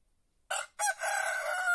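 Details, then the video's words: A white rooster starts crowing suddenly from silence: a short harsh first note, a brief pause, then a strong prolonged rasping note holding steady in pitch. "Gallo cantando"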